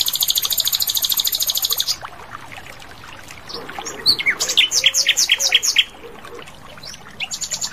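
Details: Asian brown flycatcher singing actively in the wild, a clear voice. A fast, even, high buzzy trill lasts about two seconds. A pause follows, then a run of sharp, high, separate notes, and a short high trill closes.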